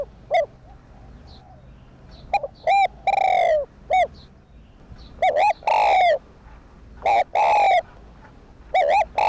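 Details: Cu đất, the spotted dove, cooing steadily: clusters of short rounded notes and long slightly falling coos, several phrases in close succession, played to stimulate decoy birds into calling.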